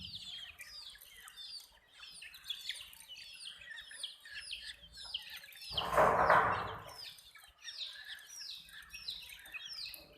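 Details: Colored domestic chicks give high, downward-curving peeps in quick succession, interrupted midway by a loud broadband rushing noise lasting under a second before the chirping chorus resumes.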